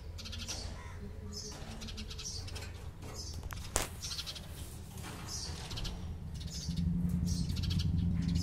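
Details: House sparrow chirps come in repeated short bursts of quick harsh notes over a strong low rumble that grows louder toward the end, with one sharp knock partway through.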